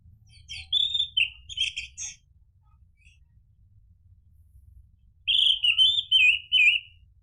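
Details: Orange-headed thrush song as a lure so other birds respond and sing gacor: two bursts of bright, tumbling whistled phrases separated by about three seconds of near silence.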